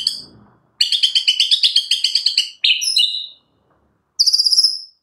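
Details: Vigorous white-rumped shama song rich in mimicked sparrow notes: a long burst of about fifteen quick harsh chirps, a short slurred whistled phrase, then a very high rasping trill, with clean gaps between.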